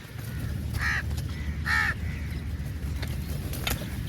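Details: Two loud, hoarse caws about a second apart from crows feeding together, with faint clicks and a low background hum.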